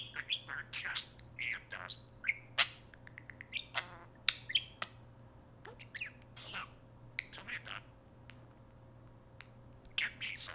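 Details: A talking pet parakeet chatters in a rapid, high stream of chirps, squeaks and warbled, speech-like phrases over a steady electrical hum, repeatedly saying "Hey Siri", "tell me" and "hello", enough to activate Siri on an iPhone.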